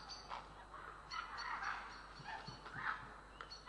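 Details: Estonian grey herons recorded 3 April 2017 give rasping, croaking calls in irregular bursts, overlapping voices with a loud rough call around two and a half to three seconds.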